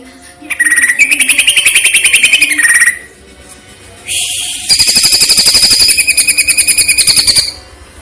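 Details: Cucak ijo, the greater green leafbird, singing a masteran training song in the platuk versus cililin style, with pauses: two long, fast, even trills of rapid ringing pulses, the second louder and richer, separated by a short buzzy rasp.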